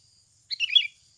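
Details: Sooty-headed bulbul, natural voice used for luring: a single lively burst of tumbling, bubbly notes lasting under half a second, followed by silence.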